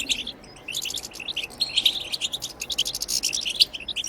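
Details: European goldfinch twittering song, bitbita khalawiya for stimulating goldfinches to sing; a soft start, then bright clipped chirps and short trills in quick irregular succession.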